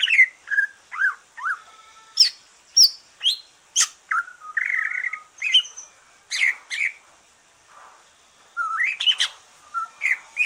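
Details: Green leafbird, freshly finished moulting, in relaxed song meant to stimulate other birds: jumbled whistles, sharp high chips, a buzzy trill near four seconds, then a quiet gap before renewed chirps.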